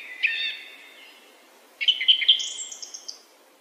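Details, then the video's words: Song thrush song: a harmonic whistled phrase, a pause, then a run of sharp notes ending in a thin, high twittering series that fades out. "Śpiewak (Turdus philomelos / song thrush)"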